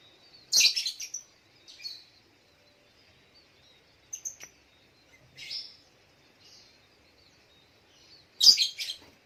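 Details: Spiderhunter heard in the morning giving loud, piercing high chips and short buzzy bursts at irregular intervals, separated by near silence.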